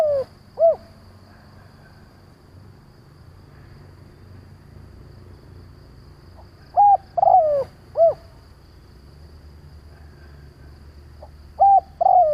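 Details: Spotted dove used as a decoy, calling to draw in other doves. Soft three-note cooing phrases come in spaced bursts: a flat coo, a drawn-out sliding croo, then a short arched note. Long quiet gaps separate the phrases over a low background rumble.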